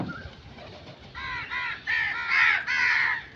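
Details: Crow cawing loudly, a rapid run of harsh, nasal notes that grow stronger toward the end.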